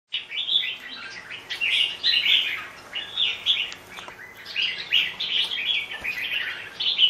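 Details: Red-whiskered bulbul singing short, bright warbled phrases in bursts about a second apart, each a quick run of rising and falling whistled notes, with a brief gap near the middle.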